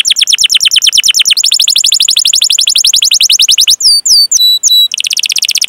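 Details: Canary singing a long 'cuit cuit' rolling song, used as a training lure for young, untrained or silent canaries: fast buzzy trills with rising notes, then several clear downward-sweeping whistles, then a dense trill again.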